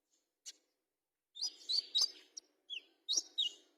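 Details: Fighter-style olive-backed sunbird singing; quick run of high squeaky chirps and slurred twitters after a lone tick, in jerky bursts.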